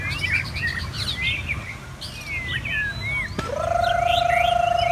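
Bright, bubbly chirps and short slurred whistles tumble over one another for about three seconds. A sharp click then gives way to a steady, buzzing hum.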